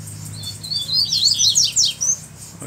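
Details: High, fast double-collared seedeater song, a dense tangle of whistled slurs and sharp downward sweeps, from a black bird with a bluish-white bill challenging a rival, with a low hum beneath.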